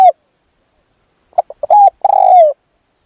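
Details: Spotted dove used as a decoy to lure a wild dove: one clipped note, a pause, then a short burst of mellow mid-pitched coos ending in a long, slightly falling coo.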